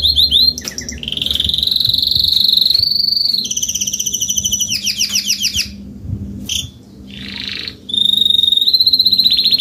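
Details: Adult Spanish Timbrado canary singing a salsa-style song: long rolling trills, some steady and buzzy, others rapid down-slurred notes, with short breaks and a hissy burst near the middle before the rolls resume.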